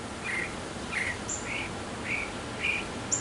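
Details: Male mockingbird in a backyard, singing to attract a female, repeats a soft, slightly buzzy chirp about twice a second, with occasional thin high whistles mixed in.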